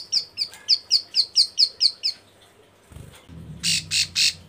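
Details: Female bar-winged prinia in breeding condition, calling males. About ten bright, sharp chirps repeat quickly, then three coarse, buzzy bursts follow over a low rumbling background noise.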